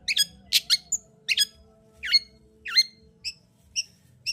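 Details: A long-tailed shrike lure recording meant to raise arousal in a reluctant singer: harsh, broad squawky notes in quick pairs, then short rising twangs and thin tonal pips spaced about half a second apart.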